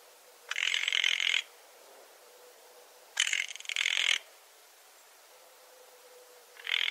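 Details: Spotted nutcracker giving harsh, grating calls, each about one second long, spaced roughly two and a half seconds apart. A third call begins at the end, over a faint steady hiss.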